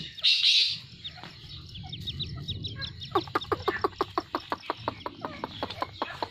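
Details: Grey francolin pair, known locally as Dakhni teetar: a brief loud shrill note opens, faint high chips follow, then a regular train of crisp clicking pulses about six per second against a constant low background hum.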